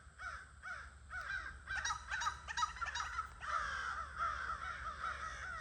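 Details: Evening gathering of crows, August 2026: a few evenly spaced single caws open, then more birds join until the harsh calls overlap into a steady, dense chorus.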